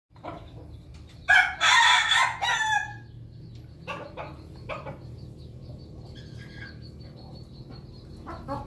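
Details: Pelung chicken during morning feeding, giving a loud, rich harmonic crow lasting about one and a half seconds, followed by a few short, quieter clucks and soft background murmur.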